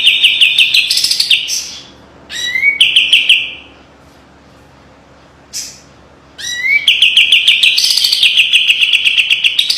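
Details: Master song for training from a kapas tembak white-eye, sharp with tight rattles: short trilled phrases and rising whistles, separated by a long quiet gap, resuming with a sustained rapid chatter.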